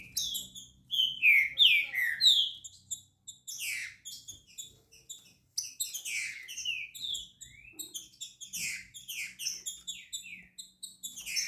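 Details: Green-winged saltator coming out of moult, singing loud, rich, slurred whistled phrases that sweep downward, delivered in rapid overlapping bursts with short pauses, over a low steady hum.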